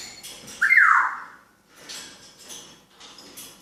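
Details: Talking African grey parrot giving one loud whistle that sweeps down and then levels off, followed by faint scattered chirps and quiet noises.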